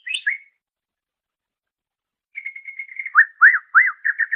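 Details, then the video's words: Greater green leafbird singing as a training master recording: a short whistle, a long silence, then a steady whistled trill breaking into loud swooping notes repeated about three per second. "Ocehan Suara Burung Cucak Ijo"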